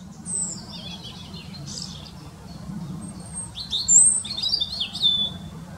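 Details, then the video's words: Perched European robin, very vocal in a park tree: soft high scratchy notes build into a louder burst of shrill whistled slides and tumbling twitters near the end, over a low steady urban drone. "The wonderful little voice of a Robin"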